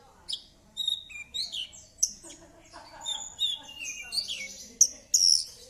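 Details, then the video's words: Javan bush lark singing to draw a silent bird into song: a mix of high whistles, chips and descending buzzy slurs, with some lower murmuring sounds underneath. "Langsung Nyaut Dan Ikut Bunyi Dengan Pancingan Branjangan Gacor Ini || BRANJANGAN MACET IKUT BUNYI"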